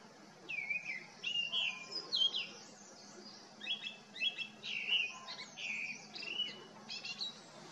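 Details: Cheerful, tuneful song of a Grey-winged Blackbird at Himalayan botanical gardens in Jabbarkhet, India, among foxgloves: varied fluting whistled phrases, some dropping then rising, delivered in bursts about every second, mixed with thin high twitters and a soft distant whistle.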